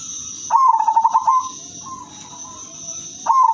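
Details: Melodious song of a female silver zebra dove kept to lure other zebra doves: one rapid, stuttering coo phrase of about a second, a soft level tone after it, and the next phrase starting, over a steady hiss.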